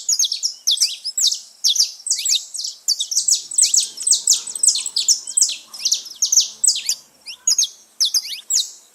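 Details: Saffron finches singing free in the wild, several together: a dense, continuous chatter of sharp high chirps and quick slurred notes, steady and overlapping, with faint background hiss.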